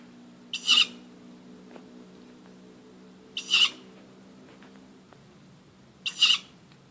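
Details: Tawny owl calling at nearly midnight from an oak tree outside a house: three short, harsh, screechy calls, each about a third of a second, spaced roughly three seconds apart, over a low steady hum.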